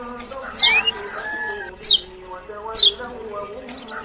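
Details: Kecial kuning, the lemon-bellied white-eye of Lombok, giving sharp, high, downward-sweeping notes roughly once a second, with softer lower tonal sounds continuing underneath.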